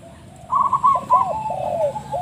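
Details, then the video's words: Spotted dove with an unusual-sounding call: a soft, hollow run of mid-pitched cooing notes that rise and dip in quick rolling succession for almost two seconds after a short quiet start. "burung balam suara aneh"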